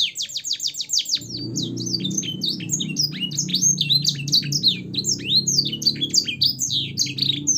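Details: Canary in captivity sings an elaborate song with blackthroat and sanger phrasing, used for tutoring caged birds: dense, high, twittering notes and quick sweeps pour out continuously, over a steady low hum in the background.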